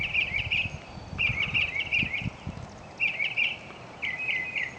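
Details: A mockingbird sings buzzy, rapid trilled phrases in bursts about a second long, repeated with short pauses, with soft low thumps in the background.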